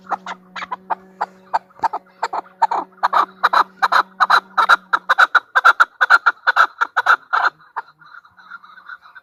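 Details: A female chukar partridge gives repeated clucking calls that build in loudness and pace into a rapid chatter, then fade to softer notes at the end. A low steady hum runs under the first half.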